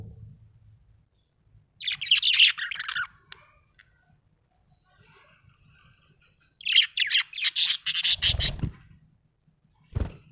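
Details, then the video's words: Two bursts of busy, harsh budgie chirping separated by several seconds of near silence, the second burst longer and louder, ending with a sharp knock. "budgie chirping sound"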